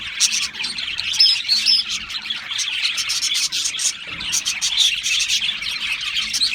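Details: High, bright chirping from a flock of Australian parrots, with a few clear whistled notes early on above a dense bed of rapid twittering.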